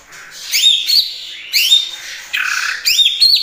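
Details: Greater green leafbird singing vigorously, its song filled with mimicked phrases of kapas tembak and cililin: sharp whistled notes that sweep upward and hold high, alternating with harsher scratchy bursts, in quick sequences.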